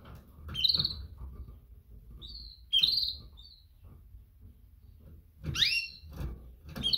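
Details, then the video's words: Female canary's calls to attract males: sharp, bright chirps and a downward-sweeping note, spaced a second or more apart, against a constant low-pitched hum. "Best female canary mating call - female calls males - female sounds chirps"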